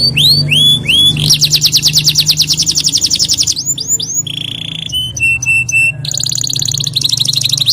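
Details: Canary singing energetically: high upswept whistles give way to a fast, buzzy rolling trill lasting about two seconds, then clipped repeated notes and further rapid high trills, over a faint low hum.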